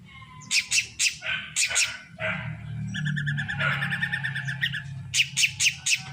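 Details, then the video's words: Drongo known locally as srigunting krantil, reportedly growing more vocal each day, gives a varied run of loud harsh bursts, then a fast string of clear repeated notes, ending in further rasping bursts over a low background hum. "Semakin hari semakin gacor burung srigunting krantil"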